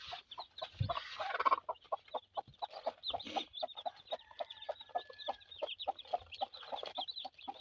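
Many newly hatched chicks peep together in a dense, rapid run of high, short cheeps, with a few lower clucks mixed in.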